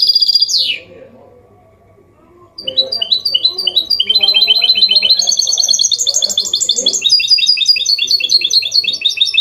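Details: Goldfinch hybrid (mule) singing a clean Malaga-copy style song, used to stimulate males to sing and teach chicks: one high note, a pause, then a dense, fast twittering of bright chirps and trills, steady and continuous.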